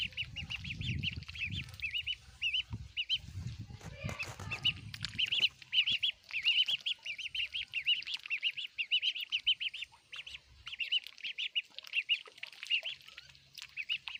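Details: Baby ducks at their food give steady chains of high, chirpy peeps throughout. A low rumbling and a rattling clatter come early on, then the peeping continues alone.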